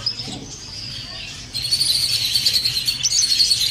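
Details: Budgerigar warbling played to prompt mating: a thin, high warble with a few quiet notes, then a louder, sustained twittering run of fast rippling chirps after a second and a half, with a faint low hum.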